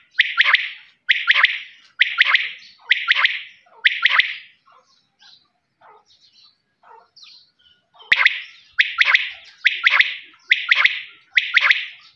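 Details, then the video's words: Quail calling in bursts of loud, raspy two-to-three-note phrases roughly once a second, a quieter gap of faint chirps in the middle, then the phrases resume. "Voice of quail's"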